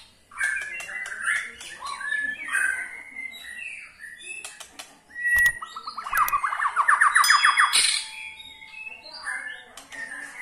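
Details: White-rumped shama giving its ketrekan call to get other shamas singing: soft varied warbles, a few sharp clicks, then a fast rattling series of rising notes near the middle, then quieter twittering.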